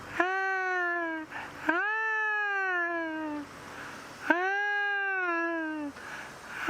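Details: A trumpeter hornbill, heard on a sunrise safari on 8 December 2016, gives three long, nasal wails, each about a second and a half and sagging slightly in pitch, like a very sad crying baby.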